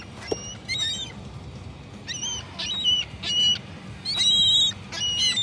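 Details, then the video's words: Gulls give harsh, squealing cries in quick, uneven bursts, roughly one or two a second, some rising and others falling, over a faint steady hiss. "Seagull noises"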